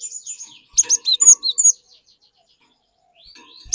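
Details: Cinereous tit singing steadily to stimulate a young tit to join in: a burst of about six sharp, high whistled notes, then near silence, with one more note at the end.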